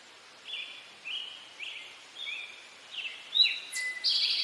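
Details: Male Eastern towhee, "drink your tea" song: a run of short, even whistled notes repeated about twice a second, ending in higher slurred notes and a buzzy trill.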